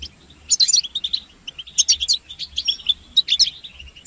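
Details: European goldfinches giving group twittering and mating calls, used to stimulate silent males to sing. Bursts of bright, high chirps come in three clusters about 1.3 seconds apart, with quieter twittering between them.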